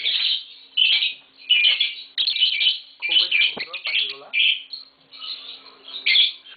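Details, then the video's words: Captive green Fischer's lovebird pair indoors: bursts of shrill, scratchy chirps and squeaks, about one burst per second in an uneven rhythm, with a man's voice faintly underneath. "Lovebird Singing & Chirping Sounds - Green Fischer Pair"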